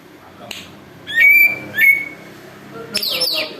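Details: Greater green leafbird imitating an eagle, used for luring: two sharp, level, piercing whistles close together, a pause, then a harsh high note that falls away, over faint background noise.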